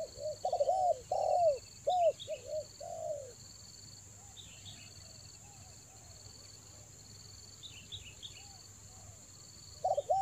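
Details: Spotted dove lure call from Toba for attracting birds in the rainy season, when birds are less aggressive: a burst of short, arched coos in the first three seconds, then only faint notes, over a steady high-pitched insect whine.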